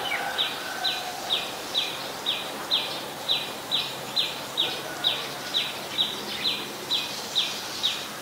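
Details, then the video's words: Adult common tailorbird, a common resident at Ubon Ratchathani, Thailand, recorded 12 February 2023. Gives a loud, sharp, high note repeated about twice a second, very regularly, over a steady hiss of insects. "นกกระจิบธรรมดา (Common Tailorbird)"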